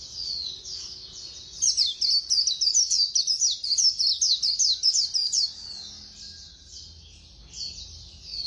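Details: Fast-singing white-eye gives a long, rapid string of high, sharp, downslurred chirps lasting about four seconds, then quieter thin warbling. A faint low hum sits in the background.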